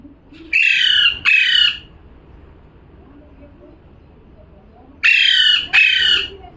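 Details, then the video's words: Parrot calling, giving two harsh, loud screeches in quick succession, a pause of about three seconds, then another matching pair of grating squawks; quiet background otherwise. "#parrot🦜🦜🥰 #calling sound"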